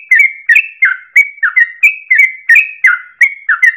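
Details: Sooty-headed bulbul singing a fast 'ropel' song as a training lure: evenly spaced, bubbling whistled notes with downward slurs and short high flicks, repeated about three times a second.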